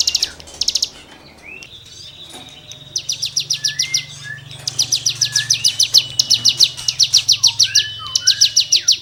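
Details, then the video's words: Cigun delivering lively rasping 'gesekan' song for tutoring songbirds: a brief opening of buzzy notes and rising whistles, then long runs of rapid high trilled notes with slurred whistles mixed in. "CIGUNG GACOR FUL NEMBAK MATERI GESEKAN BURUNG KICAU"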